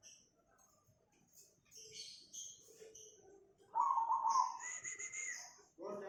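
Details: Cemani zebra dove in Tangerang, Banten, Indonesia, on 24 August 2020, with quiet mixed chirps first, then one loud trilled burring coo near the end, overlapped by a high whistled note from another bird.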